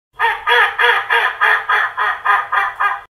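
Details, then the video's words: An angry duck gives a rapid run of nine loud, harsh, nasal quacks, one roughly every third of a second, evenly spaced and steady in strength, with no other sounds. "Pissed Off Duck"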